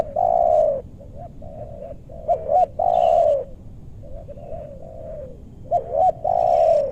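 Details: Spotted doves used for luring wild birds in meranti woodland, western Bogor. Loud drawn-out falling coos alternate with short paired notes, and quieter coos from a second dove fill the gaps.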